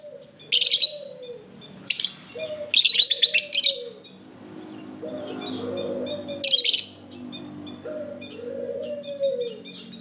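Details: Raspy, buzzy lovebird chirps in clustered bursts within an aviary, accompanied by repeated low, rounded cooing from doves throughout.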